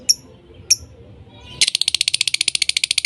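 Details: Lovebirds voicing; two thin high chirps, then a fast run of harsh pulsed chatter, around fourteen pulses per second, continuing to the end.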